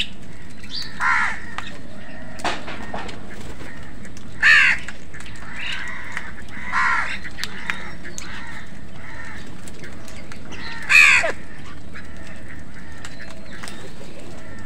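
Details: Crows fighting with other birds for food: three harsh, hoarse caws spaced several seconds apart, with faint squawks between them over a steady background hiss.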